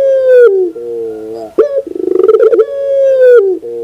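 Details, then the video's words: Puter pelung dove cooing in the morning: a long falling coo, a lower steady coo, a sharp note and a rapid pulsed roll, then another long drawn-out tone. "the beauty of the sound of puter pelung in the morning"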